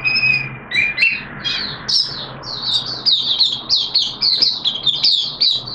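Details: Caged oriental white-eye in full song on 13 September 2022, second day of a deworming course; starts with a few lower slurred notes, then builds into a continuous fast stream of high, bright twittering chirps.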